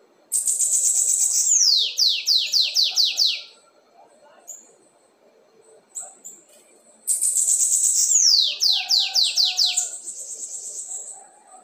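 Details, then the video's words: Red-banded Lined seedeater in a cage, singing the 'assobio com belga' style: two long phrases, each a sharp high buzzy opening followed by a string of quick, descending whistled slurs, with a quiet pause between. "sibite anilha vermelha na cantoria assobio com belga"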